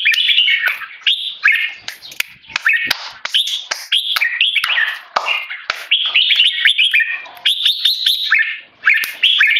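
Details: Captive tame male red-whiskered bulbul giving loud keke calls when disturbed by people: rapid bursts of bright, slurred chirps and short warbled phrases, broken by brief gaps and sharp clicks.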